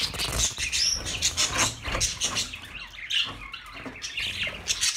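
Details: Busy budgerigar chirping with quick high tweets and a few clear whistled notes, rising and falling in pulses over steady chatter.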